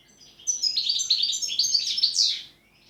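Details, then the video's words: European goldfinch delivering pletivo ziju u ziju stanka song: a dense, rapid twittering phrase of high, tinkling and buzzy notes lasting about two seconds, closing with a rising harsh note. "Štiglić, Grdelin, češljugar PLETIVO ZIJU U ZIJU STANKA"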